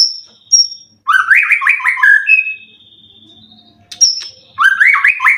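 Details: Caged white-rumped shama, a competition winner with 12 wins, said to be in 90% condition and ready to compete: high pure whistles, then loud runs of rapid downward-stepping warbled notes, repeated after a pause.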